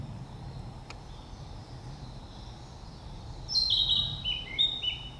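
A Narcissus flycatcher gives one quick phrase of bright, high whistled notes, some dropping in pitch, after a few quiet seconds of low background rumble.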